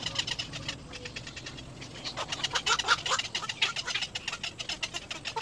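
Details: Little egret chick at its nest, seemingly exhausted, giving a rapid harsh chatter of clicking pulses that speed up and grow louder midway, over steady background hiss.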